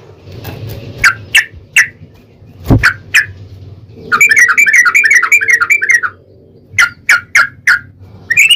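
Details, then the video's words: Yellow-vented bulbul lure song for provoking another bulbul: widely spaced single whistled notes, then a two-second rapid rolling trill, then more spaced notes and the start of another run. "trucukan gacor TARUNG ROPEL PANJANG pancingan trucukan agar bunyi"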